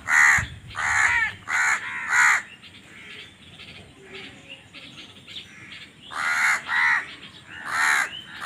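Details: Harsh crow caws come in two bursts, four rapid caws and then three more after a quieter gap, with faint background calling between them. Crows are said to be fighting for food.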